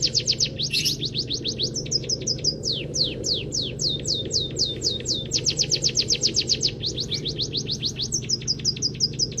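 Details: Munia (peking emprit kaji) kept for song, with a song packed with canary-style phrases. Dense volleys of sharp, high, falling whistled notes, broken into bursts by short pauses, with a continuous low hum underneath.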